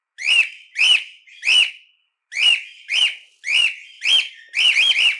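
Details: Cockatiel chirping and calling a lot, its own song, used for training and livening up cockatiels: clear rising-then-falling whistled notes, mostly in pairs and triplets, about nine notes in five seconds with short pauses.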